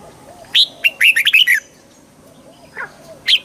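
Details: Red-whiskered bulbul song meant to rouse a bird: an upswept chirp, then a quick chain of six cheerful, liquid notes. Soft low whistles from another bird follow, and a final bright chirp closes it.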